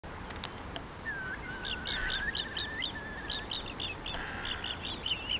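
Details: Whimbrel filmed at Ría da Ramallosa, Pontevedra, Spain: a rippling whistled trill runs level for about two seconds, then a shorter one follows, with many sharp high chirps from other birds scattered throughout.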